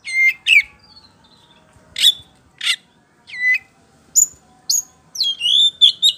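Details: White-rumped shama singing as a lure to draw answering birds, a rich mix of clear whistles, harsh chip notes and quick descending trills in short separated bursts.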